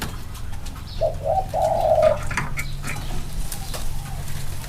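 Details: Spotted dove, one of two males set side by side to compare their close-range cooing; a single low hollow coo phrase of three quick notes, with faint room noise and soft knocks.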